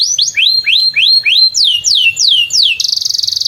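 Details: Singing canary near a field, played to help young canaries learn their song; rising then falling whistled phrases repeated rapidly, ending abruptly in a dense buzzy high trill.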